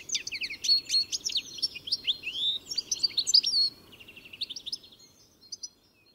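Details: Close, loud European goldfinch singing a fast twittering phrase of high slurred whistles and chirps, then fading into quieter tinkling notes before stopping.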